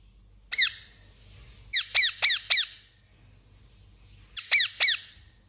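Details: Parakeet giving sharp, high, down-slurred chirps: a single note, then a quick run of four, a pause, and a final pair, with quiet gaps between.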